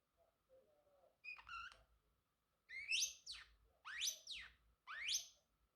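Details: Male Pacific parrotlet in a home, singing and chirping: a few soft low warbles, a stuttered chirp cluster, then three strong, shrill whistles that sweep steeply upward, about one per second.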